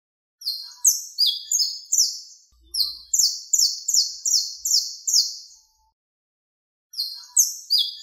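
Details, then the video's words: Canario criollo, the saffron finch, delivering a competition song meant as a training model: a rapid series of shrill, rasping downward-slurred notes, a brief break, then another run of similar notes before a longer silence. "AUDIO DE CONCURSO PARA CANARIO CRIOLLO"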